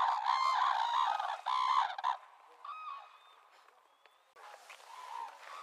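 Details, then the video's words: Red-crowned crane (Grus japonensis) gives loud, ringing bugled notes in quick succession for about two seconds. Fainter, scattered calls follow over a quiet background. "Red Crowned Crane Sounds"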